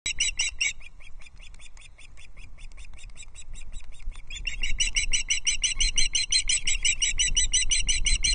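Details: Osprey chicks at a Loch Arkaig nest on 13 June 2024, three young squabbling while an adult delivers a huge trout. Rapid, high, squeaky chirps come about three per second, softer midway, then louder and denser again.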